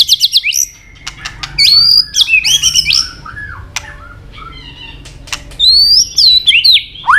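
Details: White-rumped shama singing a long, many-voiced forest-style training song. A rapid high stuttering burst opens, followed by separate bright whistled and warbled phrases with short pauses between them.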